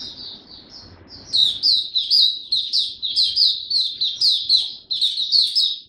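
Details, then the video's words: Young white-eye of the Dagger type, kept caged in Singapore, recorded 9 February 2022 as the song matures: quiet high warble rising into a loud, steady run of sharp, rapid twittered phrases. "Mata Puteh Dagger Video 1 buka sing tiong aw studying his progress n maturing"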